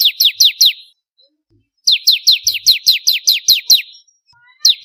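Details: Bar-winged prinia, locally ciblek kristal, in a song variation for training songbirds. Four falling chirps, a pause, then a brisk run of about ten evenly spaced descending notes, and a new run just starting.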